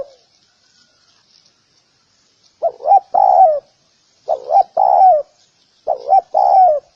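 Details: Near silence for two and a half seconds, then a spotted dove coos three times, each phrase two short hollow notes leading into a longer, lower, downward-trailing coo.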